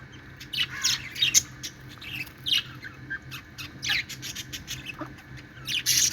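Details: Playing budgies in a happy mood make scattered high chirps and short squawky notes, softer and more spaced out, with a low background hum.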